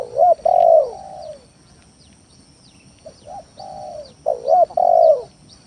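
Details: Spotted dove cooing as a lure song to provoke rivals: loud hooting coos, a pause, then softer notes building to another loud phrase, with faint high chirps of other birds behind.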